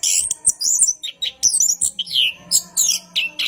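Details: Orange-headed thrush in long night-time song, used as a lure for caged thrushes: dense run of sharp, high, sweeping whistles and scratchy trills delivered in quick bursts without pause, over a faint steady hum.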